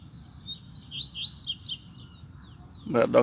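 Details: Double-collared seedeater at a cage near a female, singing face to face: a quick run of sweet whistled and trilled notes over about two seconds, then a burst of human speech at the end.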